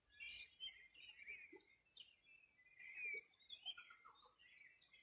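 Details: Wild birds on the Río Bueno riverbank, Los Ríos Region, summer morning 2020: lively chirps and short whistled notes from several birds, with a lower warbled phrase near the end and a calm background.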